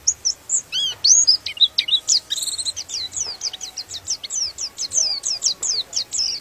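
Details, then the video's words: White-eye in lively song meant to rouse other white-eyes: a dense, chattering stream of high twittering notes and descending whistles that runs almost without a break over light background noise. "Suara Pleci ini bikin Pleci Lain Emosi dan ikut Gacor"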